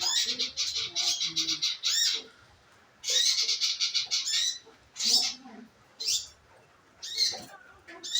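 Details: Scarlet minivet call used as a lure for singing: dense bursts of rapid high notes for two seconds, pause, another burst, then single sharp calls spaced about a second apart; faint lower chirps behind.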